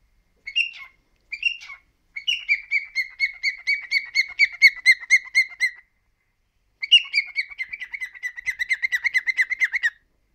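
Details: Three-year-old male cockatiel at home gives a few separate chirps, then two long runs of fast, even whistled notes separated by a short silence.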